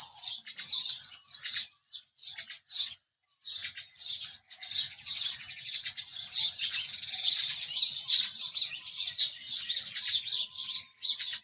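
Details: House sparrow chirping in a dense, near-continuous run of short, bright chirps with a few brief pauses, the chatter thickening and overlapping toward the end, suggesting several birds together.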